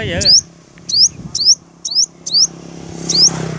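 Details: Confrontation between a sunbird flock and its dominant males: a thin, high upslurred whistle repeated about every half second, six times, after a man speaks at the start over a faint hum.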